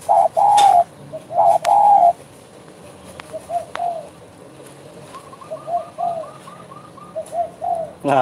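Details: Spotted dove (derkuku) cooing in 'bekur' style: two loud, drawn-out hollow coos open, followed by softer, distant low coos and a faint higher rippling series, with background clicks.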